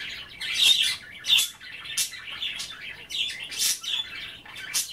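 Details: Pet budgerigars chattering while nibbling kale and water at bath time indoors; busy bursts of warbled, scratchy chirps and squawks, high-pitched and irregular, with brief louder harsh notes.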